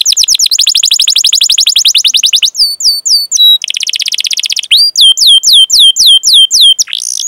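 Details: Long-running canary song used as bait for training canaries, opening with a fast steady trill, then falling whistled notes, a second buzzy trill and a series of swooping chirps.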